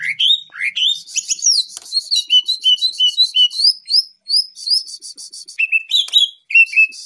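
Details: Full isian song of a champion greater green leafbird: upward-sweeping whistles, then a string of regular paired notes, high and lower, repeated about twice a second, ending with bright slurred phrases.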